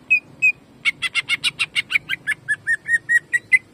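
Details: Greater green leafbird in jamtrok style, a training recording: two lone whistles, then a fast burst of rich, buzzy shots that eases into clear, level whistled notes repeated steadily.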